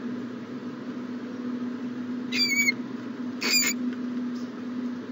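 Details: Owl in a nest box on the morning of January 14, 2020, giving two calls about a second apart: a thin, wavering, whistled call with layered tones, then a harsher hissing burst, over a steady hum.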